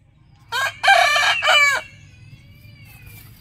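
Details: Rooster giving a single loud, harsh crow of three joined bursts, a short note, a long strained middle and a falling end, lasting about a second and a half, followed by a faint drawn-out tone over a low steady hum.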